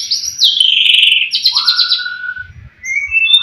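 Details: White-rumped shama in full song, a recording meant to provoke rival shamas kept at home: long loud whistled notes sliding downward, then a buzzy rapid trill and a rising clear whistle, ending in high thin notes.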